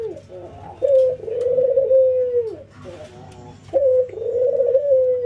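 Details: Albino white ringneck dove versus local ringneck dove in routine training, nodding and laughing; a short stuttering laugh-like burst leads into a long, level, purring coo that falls at the end, then the pattern repeats.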